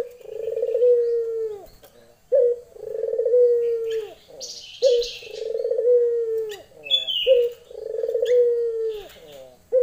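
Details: Hen Barbary dove calling a male, lenjeh style: regular rolling coos about every two seconds, each a low sustained purr with a drooping finish, with a few faint high chirps and brief rustling between them.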